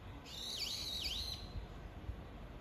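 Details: One harsh, screeching call from a brown-eared bulbul to its mate, the tone swooping down sharply twice and recovering, over a faint steady background hiss.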